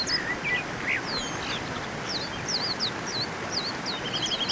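A white-eye sings quick, high, thin warbled notes and twittering phrases that run in a jumbled stream over a steady background hiss.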